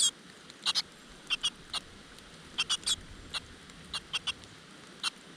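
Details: Great tit nestlings calling from a crevice nest as the mother feeds them: softer, thin, high chirps in pairs and singles, spaced irregularly, with light background hiss.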